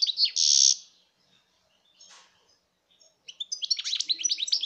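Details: Song of a European goldfinch from 2019: a harsh buzzy burst opens, a pause with a faint rasp follows, then a quick string of bright, liquid twittering notes fills the last second and a half.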